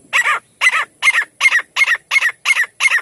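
A partridge gives harsh, scratchy double notes, about eight in three seconds at a steady pace, loud and clear against a quiet background.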